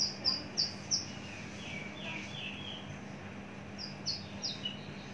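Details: Caged Javan bush lark, mature and heavy-bodied, gives a few high sharp notes, then lower buzzy slurred phrases, then more high clipped notes.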